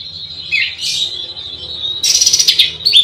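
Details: Oriental magpie-robin (kacer) singing to rile its rivals: a sustained high whistle with a downward slur, then a loud, rapid, rasping buzzy burst and a bright closing whistle.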